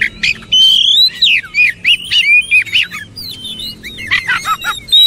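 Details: Oriental magpie-robin singing a lively run of loud whistled phrases, rising and falling slurs delivered in quick succession and mixed with brief harsh chips.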